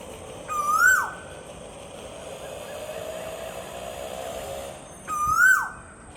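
An Asian koel gives two clear, rising 'ku-oo' whistles about four seconds apart, each ending in a quick drop, over a soft steady background hum.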